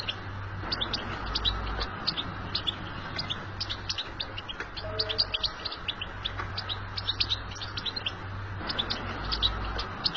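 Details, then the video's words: Goldfinch twittering meant to get other goldfinches singing, with rapid thin chirps coming in bursts over a constant low electrical hum and hiss. "Saka huylandırma sesi"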